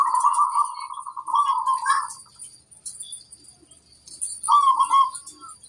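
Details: Female zebra dove in the wild giving a sustained pulsing trilled coo, then a quieter gap and a shorter rolling coo.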